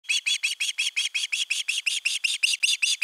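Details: Osprey chick at a nest in Finland on 10 August 2021, calling at length for fish: a fast series of harsh, high, down-curved piping notes, about three per second, steady throughout.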